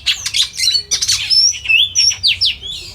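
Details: Oriental magpie-robin (kacer) singing in a simulated song competition: loud, varied whistled phrases with sweeping slides and harsh chattering notes, delivered in rapid bursts, with faint low hum beneath.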